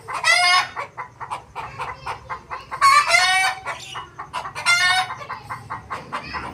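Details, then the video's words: Desi rooster with other fowl: three bright harmonic crows spread across the recording, separated by steady runs of short clucks. "Rooster Crowing Compilation Plus | Rooster Crowing Sound Effect | Desi Rooster Crowing Video"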